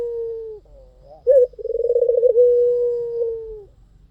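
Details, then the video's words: Lively white dove song used as a lure: a soft held coo, a brief louder note, then a pulsing rolled trill smoothing into a long, steady, gently falling low coo. "SUARA PUTER PUTIH FULL GACOR || PANCINGAN AMPUH || SUARA BURUNG PUTER GACOR"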